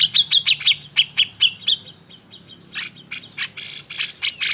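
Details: Grey-cheeked bulbul agitated song, used to push silent birds to sing: quick chipping notes with whistled overtones, a short lull, then rough buzzy bursts growing louder.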